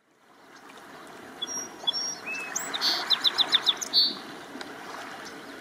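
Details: A song sparrow perched on a large beached log on the shore at Neck Point Park in the morning sings sharp, high opening notes, then a quick run of bright repeated notes ending in a buzzy flourish, over a steady rushing background.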